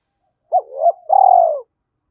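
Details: Spotted dove decoy delivering a single calling phrase in the two-ending style: a brief looping coo that rises into a second note, then a sustained, buzzy, downward-curving coo against silence.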